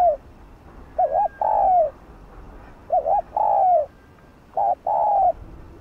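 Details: Spotted dove kept as a decoy, cooing in the 'thúc gù' urging style to prompt other doves to coo. Three mellow two-part phrases: a brief wobbling hoot, then a drawn-out, gently descending coo, about every two seconds.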